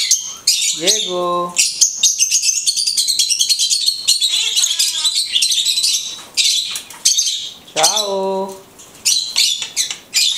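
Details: Blue-headed conure, a pet parrot, talking: rapid raspy chatter and imitated word-like phrases, with twice a lower voiced tone set under the high noisy chatter, over about ten seconds.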